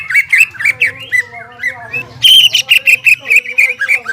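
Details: Caged greater green leafbird in lively, loud song, used to stir up stressed leafbirds that have stopped singing: fast varied whistled and chattering phrases around a steady mid-high pitch, sharp notes repeated in quick bursts, faint low hum behind.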